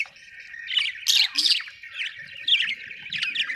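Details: Budgies giving bright, scratchy chirps and squawks in loose bursts over a steady low warble, with the loudest notes at about one and two and a half seconds.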